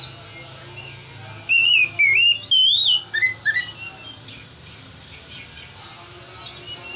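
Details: White-rumped shama singing in the steady, relaxed ngeplong style used as training song for young shamas, recorded on an Android phone: a run of loud, clear whistled notes, some rising and some wavering, then softer falling whistles fading out.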